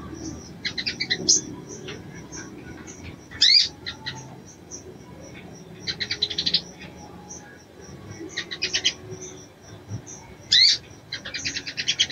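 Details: Female crimson sunbird giving a mating call to draw and arouse a male: scattered bursts of high, rapid, buzzy chirps in clusters, with a few sharp upward-sweeping notes near the start and end, separated by quiet gaps.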